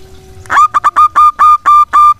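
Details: Local zebra dove used as a lure bird, singing so that others join in: a rapid series of about eight steady mellow cooing notes, each level-pitched, quickening then evenly spaced.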